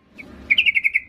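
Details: Female yellow-vented bulbul calling a male: one brief high note, then a quick string of five or six bright, ringing pulses lasting about half a second.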